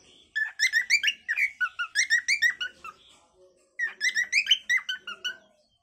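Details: Pet cockatiel giving a lively run of squeaky whistled chirps, roughly three per second, a short break, then another burst.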